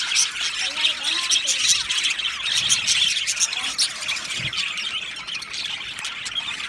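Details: Male budgerigars in an aviary colony, 8 December 2025, keep up rapid, busy chirping and squeaky warbling. Many birds call over each other in a thick, unbroken high chorus.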